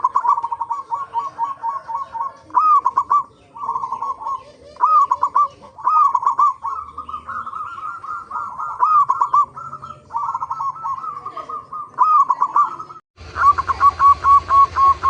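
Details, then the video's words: Local zebra dove lure song meant to make other zebra doves sing: a long run of brisk, rolling cooing phrases with rising hooks and staccato trills, followed by a short harsher, buzzier stretch of rapid repeated notes at the end. "pancingan perkutut lokal gacor AMPUH pandai BIKIN semua BURUNG PERKUTUT GACOR RAJIN BUNYI"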